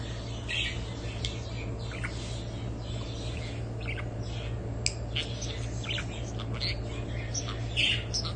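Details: Budgerigars chattering with scattered short chirps and squeaky notes, irregular and overlapping, over a steady low electrical hum.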